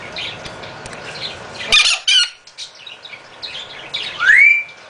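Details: Male half-moon conure, a captive rescue bird awaiting adoption that is very loud most of the time: two harsh, piercing squawks close together, a pause with softer chatter, then a shrill screech sweeping sharply upward.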